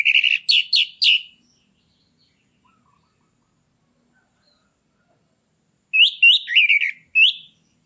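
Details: Captive orange-headed thrush singing in the loud ngeplong style, played to stir a bird into breeding condition: a quick burst of sharp whistled notes, a long silence, then another run of slurred, buzzy phrases.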